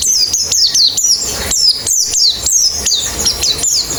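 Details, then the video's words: High, bright white-eye chirps from a therapy recording for quick, open-beaked singing: crisp downslurred notes delivered about every third of a second in an energetic, almost unbroken series. "Terapi Pleci Cepat Ngalas Buka Paruh"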